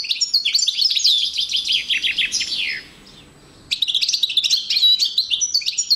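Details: 2012 recording of a male European goldfinch kept with a female canary: fast, bright twittering and downslurred chirps, a pause of roughly a second, then more tinkling, buzzy phrases.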